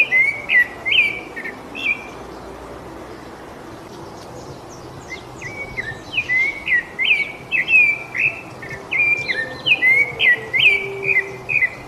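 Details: Rufous-bellied thrush song: a few whistled phrases, a pause of about three seconds, then a long even series of slurred, fluty notes repeated more than twice a second against soft background noise.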